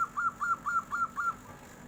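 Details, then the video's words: Local zebra dove giving its 'nyuling' flute-like song as a tofu seller passes: six loud, rhythmic, slightly rising whistled coos about a quarter second apart, clear over quiet background. "SUARA NYULING || KOK BISA TUKANG TAHU LEWAT, PERKUTUT LOKAL LANGSUNG NYAUT BEGINI"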